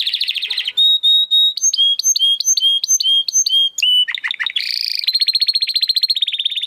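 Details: Canary singing in a recording for coaching competition birds: a trill, a long pure whistle, paired whistled notes repeated, deep downward swoops, a buzzy burst, then a steady rapid trill.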